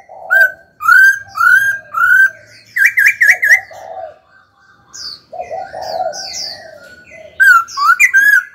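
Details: Laughingthrush kept in a cage, singing during a stimulation session: a series of full, downslurred whistles, then a rapid trilled burst, quieter warbling, and more whistles returning at the end.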